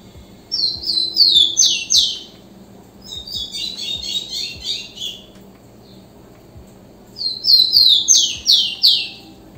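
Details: Rufous-collared sparrow (tico-tico) singing: a phrase of four or five high, clear whistled notes, each sliding downward. A jumbled chittering phrase follows, then the slurred descending series repeats. A faint low hum sits underneath.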